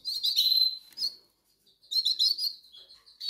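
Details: Goldfinch chicks calling for food because they are hungry: two bursts of shrill, high twittering squeaks separated by a brief silence.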